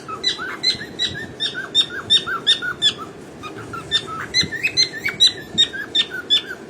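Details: Cockatiel (Nymphicus hollandicus), song.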